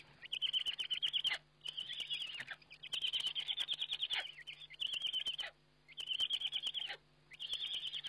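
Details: Eurasian eagle-owl on a nest webcam at feeding time, 29 May 2011: repeated bouts of fast, high, twittering chitters lasting about a second each, with brief gaps between them, and a constant low hum.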